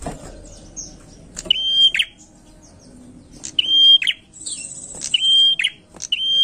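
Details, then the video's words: Prinia lure song: after a quiet start, a series of flat, high whistles, each closing with a burst of lower chirps, repeated briskly, with thin high twitters in between. "pancingan prenjak gacor enak"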